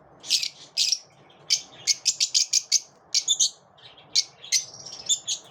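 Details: Lovebirds after dawn give a run of sharp, high chirps and squeaky tweets. The calls come in quick clusters, some doubled or tripled, with brief pauses between groups. The room is otherwise quiet.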